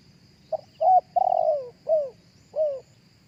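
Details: Spotted dove cooing live, a recording meant to be played through a speaker to lure other doves: five hollow coo notes, the middle one long and falling, the rest short and downslurred, spaced under a second apart over a faint low rumble.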